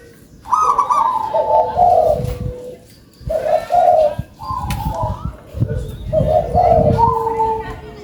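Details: Zebra dove, local strain, said to sing actively with a big voice, gives three or four separate cooing phrases, each a soft rolling trill into a sustained mellow note, with brief quiet gaps between them.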